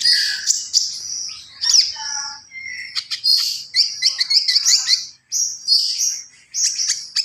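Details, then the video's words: Javan pied starling singing a varied, busy song: piercing high whistles alternating with harsh buzzy bursts, short rattles and a few mid-pitched notes, with brief pauses between phrases. "SUARA KONIN GACOR FULL ISIAN"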